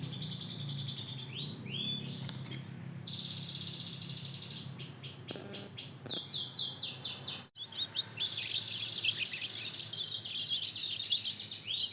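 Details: Canary × Mozambique canary hybrid chick, two months old, trying out its song: long run of fast, rhythmic high trills and buzzy pulses repeated about four per second, briefly broken by a sudden gap.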